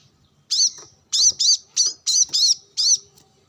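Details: Brown-throated sunbird calling to rivals alongside wild birds while sunbathing. Sharp, high, arched chirps come in an uneven series of about seven notes after a short silence.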